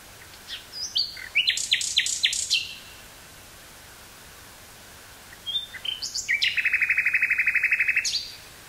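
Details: Nightingale in Dutch woodland near Burgh-Haamstede on 18 May 1983, Sony TCD-5M cassette recorder with Sony 949-T stereo microphone; loud chattering notes, a silent gap of several seconds, then a rapid buzzy trill of closely repeated notes.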